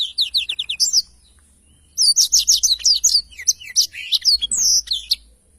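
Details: A black-throated canary sings for use as a tutor recording for songbirds: a quick run of rising notes, a pause of about a second, then dense high chirps and whistled slurs.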